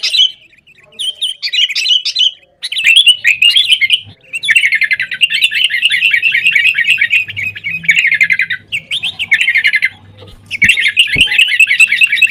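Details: Sooty-headed bulbul singing busy 'gacor' chatter meant to lure caged birds into song; long rapid trills of rattling notes come in several bursts, with short silent gaps between them.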